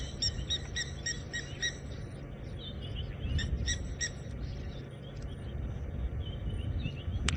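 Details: Blacksmith lapwings call near a dam at sunset on 8 April in Djuma, Sabi Sand, South Africa, with water thick-knees also calling. They give sharp, metallic clinking notes in quick runs of about six, then a pause and another short burst, over cool breeze rumble.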